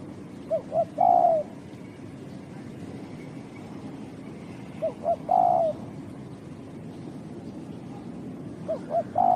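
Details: Spotted dove, recorded for the mikat bird-luring hobby, gives repeated low coos: two brief soft notes followed by a drawn-out wavering coo, three phrases roughly four seconds apart, the last cut short, with light background hiss.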